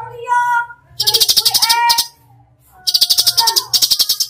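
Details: Cucak cungkok singing gacor tembakan: clear stepped whistles, then fast rattling click bursts interwoven with sliding whistled notes, repeated twice.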